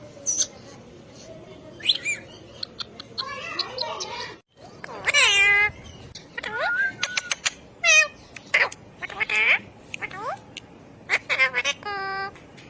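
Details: A ring-necked parakeet chatters a long sequence of nasal, speech-like and meow-like syllables, many falling in pitch, interspersed with sharp clicks and ticks, one rapid buzzy stretch and soft background music.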